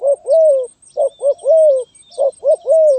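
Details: Rapid stuttering 'sepatah' song of a spotted dove, 23 January 2022: three brisk phrases of a quick stammered coo and a longer curved coo, with high bird chirps and a steady thin whine in the background.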